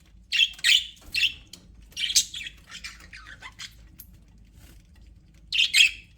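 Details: Aviary budgerigars chatter in short, scratchy chirps and squawks, a quick cluster early on, then sparse softer notes and one loud burst near the end.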